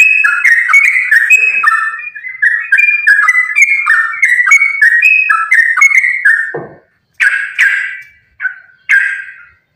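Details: Sooty-headed bulbul giving a lively, continuous fighting song meant to draw other bulbuls into singing. Dense run of fluty, bubbling notes for six seconds, a dull low thump, then a few separate short whistled phrases.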